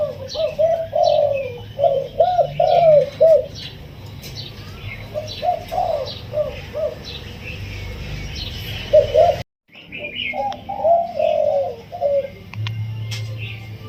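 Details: Caged spotted dove, taken from the wild 16 days earlier, delivering soft, sweet single-kuk throw cooing: several bouts of rounded, warbling hoots in quick series, separated by quieter pauses, with a brief silence midway.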